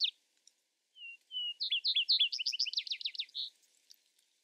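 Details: Singing Vesper sparrow: two separate low whistled notes, then a quick rising trill of sharp, repeated notes, closing with a short, higher note before quiet.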